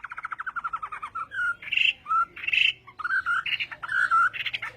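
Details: Chinese hwamei in morning song for voice training, a fighting-style singing session: quick runs of repeated chirped notes give way to varied, ringing whistled phrases that rise and fall, with short pauses between bursts.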